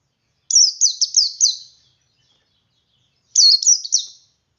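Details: Male Oriental white-eye singing in ngalas style, used to prompt other white-eyes to join in: high, thin whistled notes, each swooping down then up, in a quick run of four, a pause, then three more.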